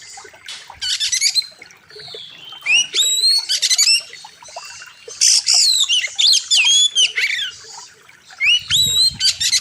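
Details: Fierce, loud oriental magpie-robin song made as a master for training birds, wild river theme: varied whistled upslurs and downslurs, scratchy buzzy bursts and quick chattering note runs, delivered almost continuously.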